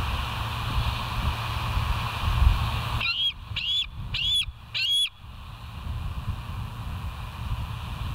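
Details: Bald eagles filmed at West End on a live nature cam, 25 July 2023, 05:10. After several seconds of low rumble, four quick whistled calls come in a tight burst, each with a short upward flick, then rumble again.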